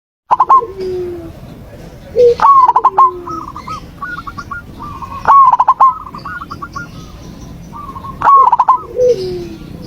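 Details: Zebra dove song used as a lure to prompt a silent dove on a terrace to sing: short phrases of clipped, cooing notes with a quick stuttering trill, repeated about every three seconds over soft background hiss.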